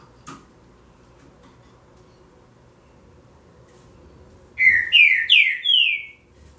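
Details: A green-winged saltator sings late in the recording, four rich downward-slurred whistles in rapid sequence, after a single sharp click and long quiet pause.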